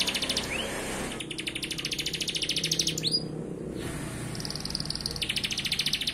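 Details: Canary singing in lively 'gacor' style packed with 'isian tembakan' fills: dense, fast trills of rapidly repeated high notes, broken by short rising whistles and brief gaps, over a steady low background hum.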